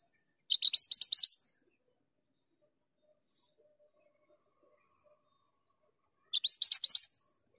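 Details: An actively singing male Mantenan gunung gives two short bursts of rapid, thin rising chirps about six seconds apart, each burst roughly a second long, with silence in between.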